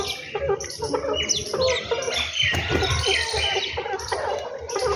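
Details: Several birds chirp at home in the morning, giving bright, quick tweets and short trills that overlap almost without pause.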